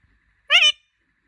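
An Indian ringneck parakeet says a single brief, nasal, rising-then-falling word like a squeaky hello, lasting under half a second.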